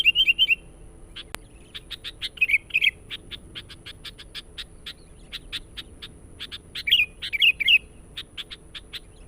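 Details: Sooty-headed bulbul lure for wild birds: a rapid run of dry repeated chirps broken by several short bubbly warbled phrases, with one sharp click early on.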